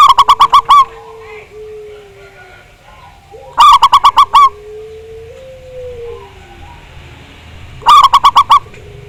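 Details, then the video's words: Zebra dove song used as a lure to make a bird sing. Three bursts of six fast, loud, ringing notes about four seconds apart, separated by long, low, level tones that dip slightly. "Pancingan Perkutut Agar Bunyi, Suara Besar Mantab"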